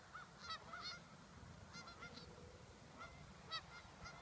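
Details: Sandhill cranes near Waite Park, Minnesota, in August 2014: distant, harsh, rolling calls with layered overtones, given in short bursts about every half second to second, over a steady low rumble.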